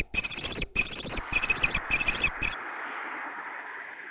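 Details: Young kestrels that can already fly, in Théding, France, July 2023, begging from their father: about two and a half seconds of rapid, harsh, whining pulses over background noise, then only a steady hiss.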